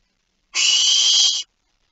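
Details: Barn owl (Tyto alba) in the Netherlands (Friesland) at night, 27 October 2019, about 02:59, gives a single harsh, hissing screech lasting about a second.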